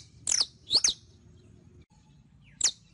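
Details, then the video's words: A saffron finch (Sicalis flaveola), in audio meant to teach pet saffron finches to sing, gives sharp, high chirps sweeping steeply downward: two close together, then a lone note after a pause; background otherwise quiet. "ENSEÑA A CANTAR A TU CANARIO CRIOLLO"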